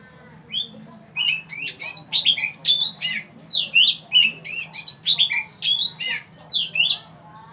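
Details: Oriental magpie-robin singing at Ban Wat Phra Koet, Fa Lami, Phatthalung province, Thailand: a rich, varied stream of loud, clear whistled phrases, rising and falling slurs and quick trills, delivered almost continuously over a faint low hum.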